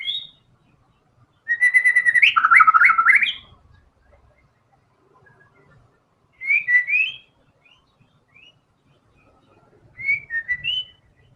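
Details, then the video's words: A white-rumped shama in vigorous song from its learned filler repertoire. One full phrase of a held whistle and quick looping notes is followed by two shorter, softer bursts of rising chirps. Faint low thumps sound in the background. "MURAI BATU GACOR‼️FULL BONGKAR SEMUA MATERI ISIAN"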